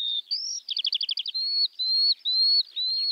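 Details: Male skylark in spring song flight. A quick trill of rolling notes gives way to long, level high whistles, shrill and clear.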